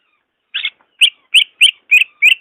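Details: Greater green leafbird recording used to coax a reluctant caged bird: one burry note followed by five clear, sharp whistled notes spaced about a third of a second apart.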